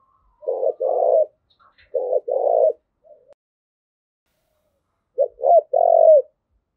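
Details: Urging coo of a spotted dove, the 'thúc gù' call for training decoys and stirring males: two paired coo phrases, a soft mutter, a long gap, then a quick double note ending in a long coo.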